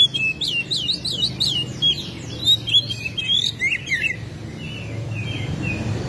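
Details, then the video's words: Eager Oriental magpie-robin song, bird spreading its tail and pouring out its repertoire, meant to prompt other magpie-robins: rapid tumbling sequence of high sweet whistles and trills for four seconds, then softer scattered notes over low background noise. "KACER SUPER GACOR BUKA EKOR BONGKAR ISIAN"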